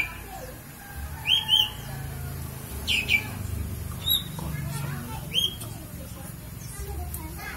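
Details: Oriental magpie-robin giving sparse bido kelik style song: three clear, high, rising whistled notes spaced a couple of seconds apart, with a few softer chirps between and a steady low rumble throughout.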